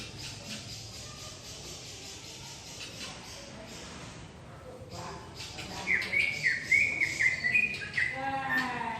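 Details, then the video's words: Asian pied myna singing from a tree, heard after several seconds of hiss and faint noise: a burst of wavering, harmonic warbled phrases and short creaky notes, growing louder toward the end. "Suara Asli JALAK SUREN Gacor FULL ISIAN Di Atas Pohon"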